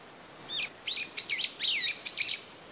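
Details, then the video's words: Separated from its family, a single Brown-eared Bulbul calls out for its companions in May 2021. A fast run of five shrill, slurred notes sweeps up and down, loud and piercing against a quiet background. "仲間を探して鳴くヒヨドリ Brown-eared Bulbul"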